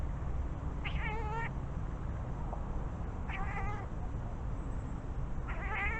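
A Eurasian jay gives three wavering, cat-like mews, each about half a second long and spaced two seconds apart, over a steady low rumble.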